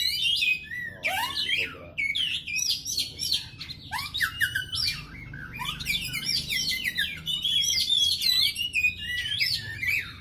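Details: Kacer, the white-rumped shama, pouring out a dense, fast medley of high whistles, sharp squawky notes and twittering phrases almost without pause, with a steady low hum underneath.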